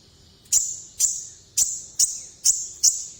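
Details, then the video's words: Sunbird in full, pressing song: sharp, very high ringing notes, six of them, each roughly half a second apart with a trailing metallic ring. "Burung Kolibri Ninja Top Perform full suara nekan"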